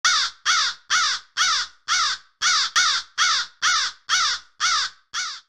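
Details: Crow giving an alarm call: a fast series of harsh, hoarse caws, about twelve in five and a half seconds, each rasping note falling slightly, steady and loud with no other sounds.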